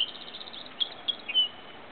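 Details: A Song Sparrow (Melospiza melodia melodia), recorded 7 August 2012, sings a quick run of high, evenly spaced notes, then a few separate chips and a short clear note, over a steady faint hiss.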